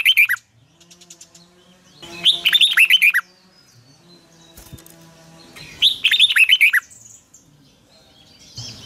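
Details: Red-whiskered bulbul with a long twisted double voice, recorded as morning training song: three phrases of quick chirping notes, with a steady low hum and faint ticking between them.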